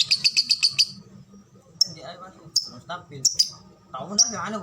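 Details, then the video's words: Lovebird in the ngetik-ngekek singing style with tight pauses: a quick run of six sharp high ticks, then scattered single chirps, with men talking in the background. "Love bird ngetik ngetik ngekek durasi jeda rapet."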